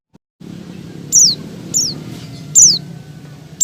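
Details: Oriental white-eye female calling to the male, lure for silent caged birds: after a brief quiet start, four high downward-sliding squeaks at irregular intervals, one fainter, over a low hum.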